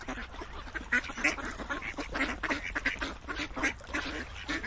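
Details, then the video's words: Mixed harsh quacks from several ducks, some longer honking notes among them, delivered in uneven bursts over a steady flock murmur. "Quacking Duck sounds"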